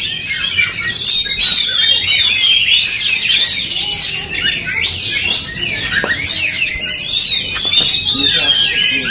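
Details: Fighting song of Oriental magpie-robins dueling aggressively; fast chirps, sweet whistles and harsh squawks tumble over each other at roughly three notes a second, a few sharp clicks near the end and a low background hum.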